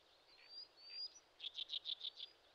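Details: Common sandpiper on a riverbed in the Shin'etsu region of Japan in late May, a parent watching over its active chicks; six short, high, evenly spaced piping notes in a quick run, preceded by thin, faint whistled slurs.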